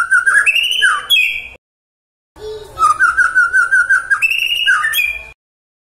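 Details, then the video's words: Magpie-robin singing to prompt other magpie-robins to answer: two bursts of bright warbling and rising whistles separated by abrupt silence, with a run of quick repeated notes amid a faint low background hum. "AWAS TAJAM❗❗SETIAP MURAI YANG DENGAR, LANGSUNG TERSENTAK MERESPON❗❗"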